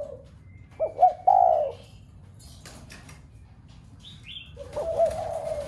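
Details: Spotted dove coo intended to trigger cooing from other doves kept at home: a short low coo phrase, then a quiet gap with a rustle and a high chirp, before another soft coo begins.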